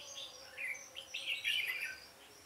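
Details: Trapping decoy red-whiskered bulbul in a singing duel, 13 March 2017: a brief, loud flourish of slurred, rising and falling whistles building to a dense bubbling phrase, with a high thin tone in the background.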